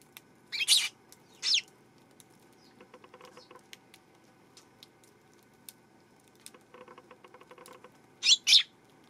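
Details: Eurasian tree sparrow on 12 September giving loud, harsh chirps in pairs, two near the start and two near the end, separated by a long stretch of quiet fine tapping and clicking.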